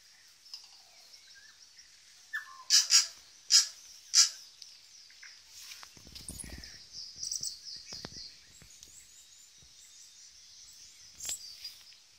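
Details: Two tui, native birds, displaying at Zealandia in Wellington, New Zealand; four loud, sharp click-like notes in quick succession, then softer scattered chirps and one later bright note over a steady high-pitched hiss.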